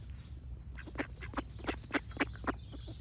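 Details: A duck gives a series of loud, nasal quacks roughly every quarter second, rising and falling in strength, over low steady background noise.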